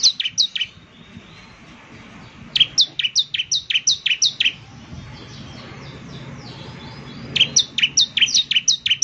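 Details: Bar-winged prinia (ciblek semi) singing in separate bursts: short runs of sharp, high, falling chirps, separated by several seconds of low background noise.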